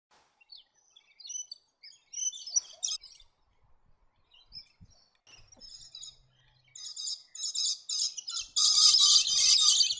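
Scaly-breasted lorikeet giving shrill, scratchy chatter in quick bursts, swelling at the end into a continuous harsh screeching.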